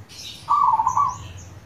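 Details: A single local zebra dove (perkutut lokal) phrase: a quick, rolling burst of mid-pitched coos lasting under a second. A low hum and faint high bird chirps are in the background.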